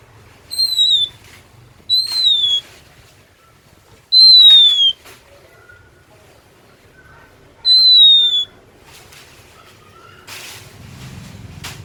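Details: Oriental magpie-robin from Indonesia giving four separate high, sweet whistles, each sliding gently down in pitch, spaced irregularly a few seconds apart; a brief rustling noise follows near the end.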